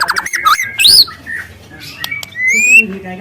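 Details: Young wild white-rumped shama giving quick descending warbles, a loud upswept squeal, then a long rising whistle, in its long, loud canary-type song.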